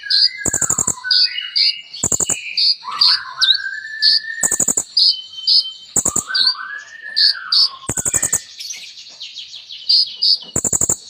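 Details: Busy kolibri ninja sunbird song full of mimicked phrases, mixing shrill high notes, swooping mid-pitched whistles that rise then fall, and repeated harsh rattling bursts about every two seconds.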